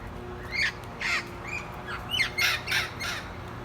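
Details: Parrots calling around a residential neighborhood: a rapid series of about eight harsh, raspy squawks, some rising then falling, in quick succession over a few seconds, above a steady low background hum.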